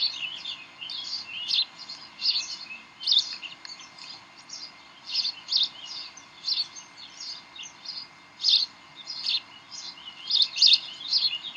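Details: Decorah bald eagle nest, 18 May 2012 at 7:45 pm, birds playing tug of war: a long run of shrill, chattering chirps in uneven bursts, some louder clusters standing out, over faint steady noise.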